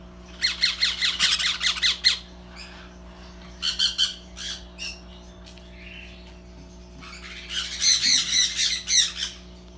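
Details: Baby sun conures starting to eat on their own give harsh, buzzy squawks in rapid bursts of about ten pulses, then pause. A shorter burst follows before another long pulsed run near the end, over a steady low hum.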